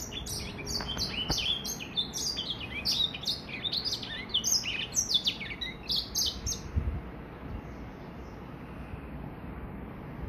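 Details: First complete song of a three-month-old hybrid between a Gray Finch and a Lemon Breasted: a lively stretch of rapid, high slurred chirps lasting about seven seconds, then fading into quiet background noise.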